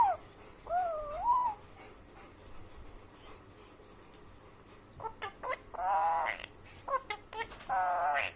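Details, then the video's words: Alexandrine parakeet mimicking animal sounds: wavering, meow-like tones, then after a quiet pause a run of clicks and hoarse, speech-like phrases. "Alexandrine parakeet making animal sounds"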